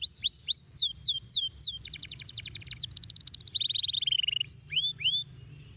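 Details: Canary song made of varied tours: repeated upward-sweeping whistles, then a fast even trill of rapid pips, a buzzier roll and a falling rattle, ending with a few rising whistled notes.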